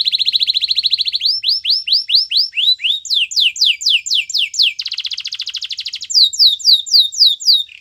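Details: Training song from a canary: a very rapid high roll gives way to a long series of rising slurred whistles, about five a second, broken by a buzzy trill before the sweeping notes resume.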